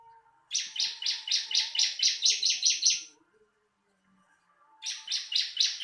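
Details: Bar-winged prinia song used as a tutoring recording for songbirds: a burst of about ten fast, buzzy, high notes in under three seconds, a short pause, then another rapid burst begins.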